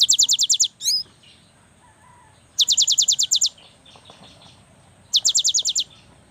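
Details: Cinereous tit, a young bird in full voice meant to spur silent birds into song, gives bursts of fast, bright, high-pitched notes, about ten per burst, repeated every two to three seconds.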